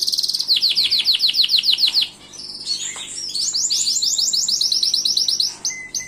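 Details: Gloster canary in full song: a rapid rolled trill of high, evenly repeated downward-sweeping notes, then a buzzier, denser warbled stretch of quick repeated notes, ending with a short clear whistle.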